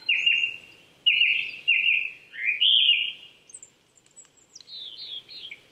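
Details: Japanese thrush in Chichibu's Saitama Prefectural Forest, Japan, April morning at 800 m: several bright fluty whistles in quick sequence, one sliding upward, followed by quieter higher trilled notes.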